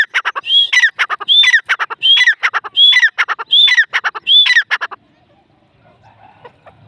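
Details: A grey francolin, also called Irani teetar, calls loudly, a harsh repeated phrase with a ringing rising-falling note, about six phrases in five seconds, then near silence.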